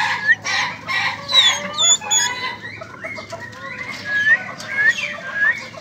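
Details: Young Ayam Ketawa laughing chicken giving a long broken crow of harsh, harmonic syllables that rise and fall irregularly over several seconds, with small sharp chirps from other birds mixed in.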